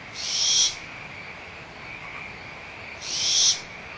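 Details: Barn owl owlets at Audubon Starr Ranch Sanctuary, 17 April 2011, squabbling over leftover food with the mother nearby: two harsh, breathy hisses about half a second long, spaced almost three seconds apart, over a steady high frog chorus.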